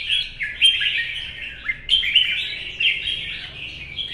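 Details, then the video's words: Wild-caught older red-whiskered bulbul kept in a cage, contest singing in the morning sun: bursts of loud, bubbly warbled phrases broken by brief pauses, with sharp attacks opening each burst. "CHÀO MÀO | Bổi già rừng 4th lồng bóng bộ và nết cầu - nắng sáng hót đấu"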